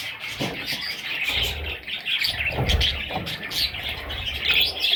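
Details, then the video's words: A brood of young parrots produces an unbroken stream of sharp, high chirps with a few louder squeaks, accompanied by faint bumping sounds. "Parrot little babies"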